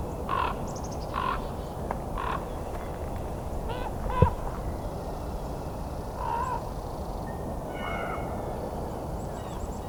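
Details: American crow giving harsh, hoarse caws, singly or in short pairs at irregular intervals, over steady wind rumble; winter, December 30, 2021, Christmas Bird Count at Fletcher Creek Ecological Preserve, Puslinch, Ontario.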